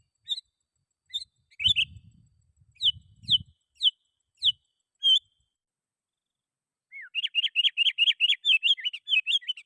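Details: Sooty-headed bulbul calling rivals, played to lure wild bulbuls: scattered sharp downslurred whistles, then a quick even run of bubbly notes near the end, with faint low knocks early on.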